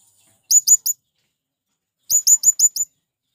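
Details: Shrill, thin notes from a male blue-crowned hanging parrot calling wild ones in: a burst of three, a pause of over a second, then a burst of five.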